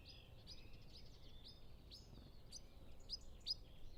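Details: A European pied flycatcher (Ficedula hypoleuca) sings near its nest while feeding two young: a rapid series of high, sweet, thin notes, about three per second, with sharper accents near the end, over low rumble, other birds distant.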